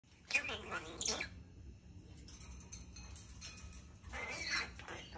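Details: European starling talking: a speech-like burst of harmonic, voice-like syllables with squeaky whistles at the start, a quiet gap with faint rustling, then another chattering voice-like phrase near the end.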